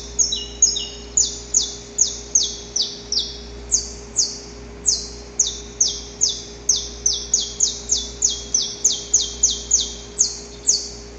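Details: Wild male Saffron finch's extensive, rasping dawn song aimed at a female: continuous high, sharp falling notes, some overlapping at two pitches, repeated at an uneven quick pace with brief interruptions; faint steady background hum.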